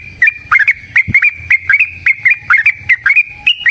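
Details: Loud, rapid fighting song of a Yellow-vented bulbul, used to stir other bulbuls into song: bright chirps in tight pairs and triplets, about two notes per second overall, with a faint low thump in the background.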